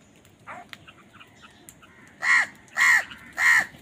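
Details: Crow contesting food utters three loud, rasping caws roughly half a second apart after a softer caw and faint background sounds.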